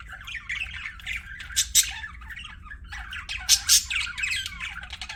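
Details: Pet budgies chirping and warbling in a continuous chatter, scratchy notes around mid-high pitch broken by sharp bright squawks near the two- and four-second marks.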